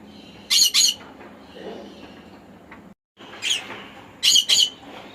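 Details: Repeated double squawks from a conure, hoarse and grating, with a brief silent break midway and a softer squawk before the final loud pair.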